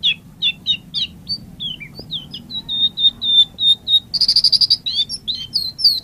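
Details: White-rumped shama singing a varied run of clear, high whistled notes, some sliding, some repeated steadily, broken by a rapid trill of sharp piping notes, over a low background hum.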